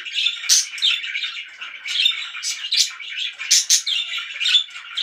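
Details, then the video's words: Pet budgerigars chirping loudly; a busy stream of overlapping warbles, squeaks and sharp high chirps with no pauses, indoors. "VERY LOUD BIRDS"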